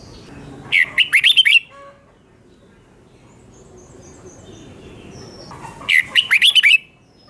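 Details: Red-whiskered bulbul singing its doubled song for young birds to copy: two clear bursts of five or six fluty, bouncing notes, separated by roughly four seconds of quiet hiss.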